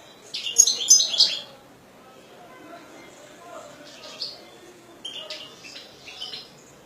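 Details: A kept European goldfinch sings two bursts of bright, high twittering and tinkling notes, one near the start and one toward the end, with softer scattered chirps in the quieter gap between.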